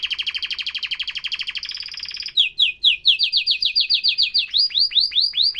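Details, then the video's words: Canary with a very rapid rolling trill of high notes that steps up in pitch, then slower sweeping syllables repeated about three times a second. "تغريد كناري احترافي"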